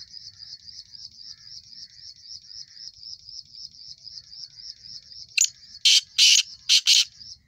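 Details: Steady pulsing high insect trill for about five seconds, then a young male black francolin in its first season breaks in with a sharp note and a series of loud, harsh, rasping bursts.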